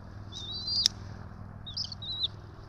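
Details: Bald eagle twins at the Johnson City ETSU camera nest during feeding on 12/03/2024 give high, thin whistled begging peeps in two bursts, slightly wavering, with a soft rustle and low background hum.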